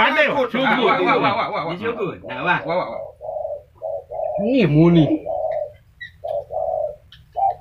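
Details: Spotted dove in Lombok, recorded during a session with master spotted-dove trappers, gives soft, mellow coos in short repeated phrases, after a burst of men talking at the start; voices return briefly midway.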